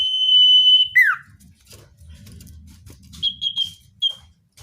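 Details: Common iora, natural sound used to bring wild birds close: a sustained high whistle ends in a sharp downward slur, followed after a quiet pause by a few short whistled notes.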